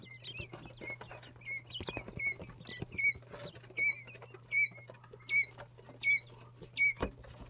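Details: Jumbo White Quail chicks, two to three days old, peep in a fast, even series of high downslurred notes, about one every 0.7 seconds, louder toward the end, with light scratching and a low hum.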